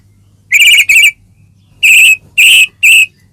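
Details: Murai batu (white-rumped shama) lure song in ngeplong style, meant to provoke a caged bird into singing: five clear, ringing whistled notes at steady pitch, two close together, then three more after a short gap.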